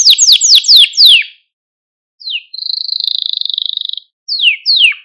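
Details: Canary song for training and rousing young canaries: a run of high downward-sweeping notes, a pause, then a buzzy steady trill lasting over a second, followed by more descending sweeps.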